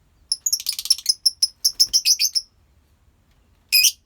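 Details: Busy lovebird colony chatter: a quick string of piercing, twittering chirps for two seconds, a pause, then one harsh shriek.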